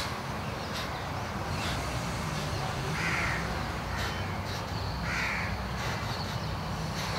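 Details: Two jungle babbler hatchlings, fallen prematurely from their nest in a bamboo thicket, give two harsh, raspy begging bursts a couple of seconds apart to draw a parent's attention, over a steady low rumble of background noise.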